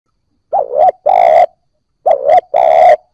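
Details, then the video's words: Spotted dove cooing, played to stimulate newly caught birds into cooing: two loud, harsh two-part phrases about 1.5 seconds apart, each a short wavering note followed by a longer, steady, mid-pitched coo. No other sounds. "Cu gáy bổi mới nổi gáy / Tiếng cu gáy kích bổi nhanh nổi"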